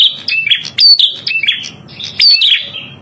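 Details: Lure recording of a red-headed prinia: two loud bursts of shrill chirps and sliding whistles separated by quieter twittering, a faint low drone behind.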